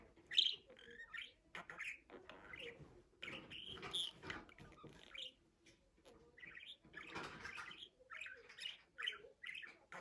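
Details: Budgerigar warbling continuously in buzzy, squeaky phrases, mixing rising chirps, rasps and clicks. The chatter dips briefly around six seconds.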